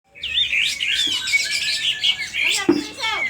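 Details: Sooty-headed bulbul from Aceh, agitated with its tail fanned, singing loudly. Dense, fast, high twittering and chattering runs without pause, with a few lower slurred notes near the end.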